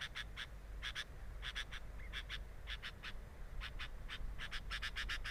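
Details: Sooty-headed bulbul recorded by a camera at its nest: quick clusters of harsh rasping notes, one brief thin whistled note, then faster runs near the end, over a low rumble.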